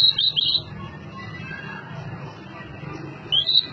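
A blue-and-white flycatcher sings two short, high, sweet whistled phrases, one at the start and one at the end, over a steady low background rumble.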